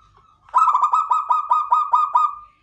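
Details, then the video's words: Local zebra dove of the klowongan type delivering a bright, rapidly pulsed cooing trill of about nine quick beats on one steady pitch, trailing off at the end. "PERKUTUT LOKAL KLOWONGAN"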